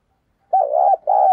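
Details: Spotted dove decoy call in the 'thúc gù' urging style, meant to draw in wild doves: a mellow warbled coo about half a second long, a brief pause, then a second coo cut off at the end.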